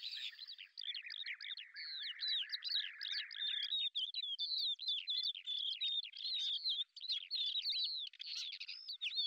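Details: Lesser grey shrike, a hunter of beetles, filmed in Azerbaijan: a dense, chattering warble of quick whistled slurs and scratchy notes, with a lower-pitched strand under the first half, running continuously with short breaks.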